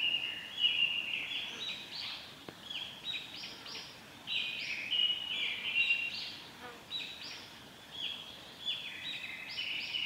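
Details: Japanese paradise flycatcher at a nest, with the male and female taking turns, at Lake Miyagase's Okuno forest road, recorded 26 June 2016: short, high, buzzy notes in bursts every second or two, with other birds chirping faintly behind.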